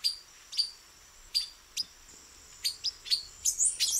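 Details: A male silver-beaked tanager, camouflaged among branches, repeats short piercing chip notes, sparse at first and then quickening into a tighter cluster near the end, with faint high twittering; no other clear sounds.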